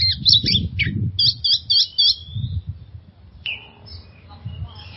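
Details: Oriental magpie-robin, recorded to prompt stressed birds to sing: a few sharp repeated chips and a short whistled trill, then a quieter stretch with a single rising note and low background rumble.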